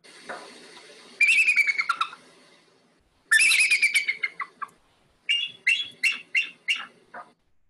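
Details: Bald eagle (Haliaeetus leucocephalus) call: three bursts of thin, high chittering notes tumbling downward in pitch, the last breaking into separate piping notes about a third of a second apart.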